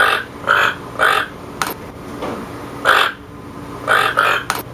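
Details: Toucan producing rough, throaty croaks in quick succession, about seven rasping notes with brief pauses and a couple of sharp clicks, over a faint steady hum.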